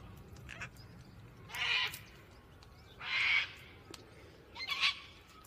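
Gang-gang cockatoo giving three harsh, creaky, grating calls, each about half a second long and spaced about one and a half seconds apart, over quiet background hiss.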